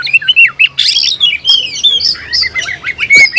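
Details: Oriental magpie-robin, a kept songbird, singing as if looking for a rival: a loud, varied run of whistled phrases, rising and falling slurs and harsh squawky notes packed closely together, with faint low rumble underneath.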